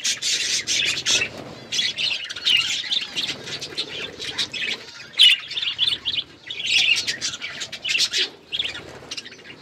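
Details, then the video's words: Hand-tame budgies kept as pets give continuous rapid warbling chatter, dense chirps and clicks running together with only short breaks. "My beautiful hand tame budgies birds chirping"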